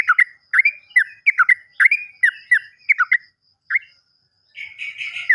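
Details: Sooty-headed bulbul lure song: short liquid whistled notes repeated in quick pairs, then a pause and a single note, ending in a harsher chattering burst.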